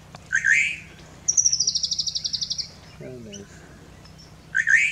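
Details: Helmetshrike in southern or eastern Kenya, October/November 2023: harsh chattering notes open and close, with a fast dry rattle of about a dozen high pulses between; brief low murmur.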